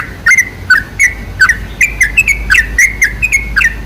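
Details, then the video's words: Lure song of a sooty-headed bulbul for attracting bulbuls: short gurgling, whistled notes in lively clusters, jumping up and down in pitch, delivered briskly about three per second, with a faint low hum underneath. "MUSTAHIL KALAU TIDAK IKUT GACOR PANCINGAN SUARA TRUCUK TERBAIK"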